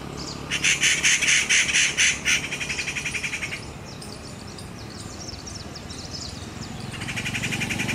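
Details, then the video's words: A Rufous Treepie gives a loud, harsh burst of rapid metallic notes that fades into a softer rattle, then starts again, with quieter chirps in between. "Rufous Treepie Call Video महालत, टकाचोर"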